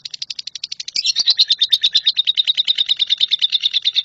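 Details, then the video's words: Lovebird trilling in the 'nyambung kuntilanak' style for shrike tutoring: crisp separate high ticks, then a louder, denser run of rapid shrill chattering notes. "LOVEBIRD NYAMBUNG KUNTILANAK"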